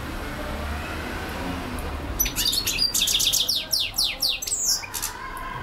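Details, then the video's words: European goldfinch in nonstop song: after two quiet seconds, a rapid, dense run of high twittering chirps and sweeping notes with buzzy touches, continuing to the end. "Super singing european goldfinch"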